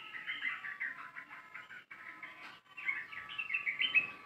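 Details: Sooty-headed bulbul in long rapid 'ropel panjang' song, played as a lure to attract birds: a dense, unbroken stream of quick chirped and warbled notes over a steady tonal hum.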